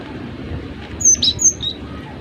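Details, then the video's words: Energetic gelatik batu (cinereous tit) sings a quick run of three or four thin, very high whistled notes, over a low steady background hum. "Masteran gelatik batu gacor"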